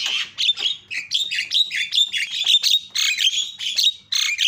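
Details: Lure calls of the Javan myna, meant to set other mynas shouting: a dense, continuous run of harsh chattering and screechy notes with bright whistled accents, barely pausing.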